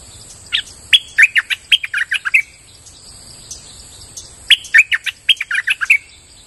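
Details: Streak-eared bulbul singing lively lure phrases in forest: two long runs of about ten rapid, liquid chirps each, nearly two seconds apiece with a two-second gap between, over a steady high-pitched background tone.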